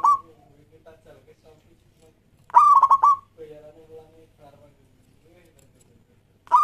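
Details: Local zebra dove (perkutut lokal) singing a lure song meant to prompt other doves to sing: short rapidly pulsed cooing phrases at the start and near the middle, with softer, lower cooing notes in between.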